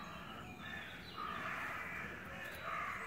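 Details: Eurasian nuthatch at La Poudrerie on 28 May 2018, with large young nearly ready to fledge: harsh, scratchy calls run almost without a break, with a couple of brief whistled tones, over faint background hiss.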